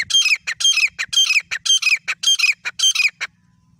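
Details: Grey francolin pair (teetar), a favourite sound of hunters. Rapid, grating, squawky notes come in quick bursts, roughly two per second, then stop abruptly before a short silent tail.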